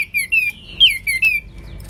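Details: Hwamei (Wambi) singing: a short passage of several loud, fluty whistles that glide downward, with brief pauses between notes.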